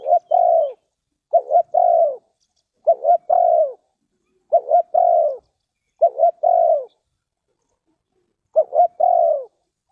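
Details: Spotted dove from Ninh Thuận, Vietnam, in a bird-trapping and luring setting. It gives six clear low coos, each with two short clipped notes and then a longer falling croo, with irregular gaps and a quiet background.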